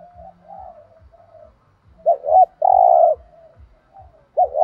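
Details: Spotted dove in 'thổ đồng' voice, 'thúc gù' cooing: a faint murmuring start, then one loud phrase of two quick bent notes and a sustained mellow coo, with another phrase beginning at the end; faint rhythmic low ticking throughout.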